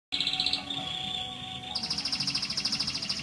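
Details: Canary rolling song, used to train other canaries to sing: a fast trilled roll of high notes, switching abruptly to a lower steady tone, then to a rapid pulsing trill about four per second, over a faint background hum.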